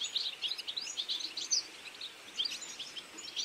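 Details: Goldfinch feeding flock in autumn: high, bubbling twitters and chirps from several birds over soft background hiss.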